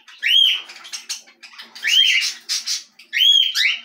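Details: Belgian canary repeating a clear arched whistle, rising then falling, about every 1.5 seconds, each followed by softer buzzy chirps.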